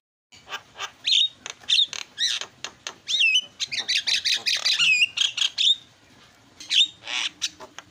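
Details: Javan myna, used as a tutor recording of noisy fill-in song: a dense run of harsh squawks, buzzy chatters and short rising whistles in quick irregular bursts, loud and close, with brief pauses and no other clear sounds.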